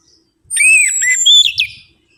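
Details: Orange-headed thrush song used as a lure to stimulate singing: a single clear, whistled phrase of slurred notes that rise and fall, ending in higher twittering, set against near silence.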